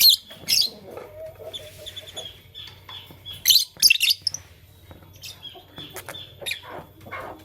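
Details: Lovebirds, Fischer's and masked (personata), chirping in the morning: sharp, shrill, high-pitched chirps and short screechy bursts in irregular clusters, loudest around the middle, with quieter twitters and a low background hum.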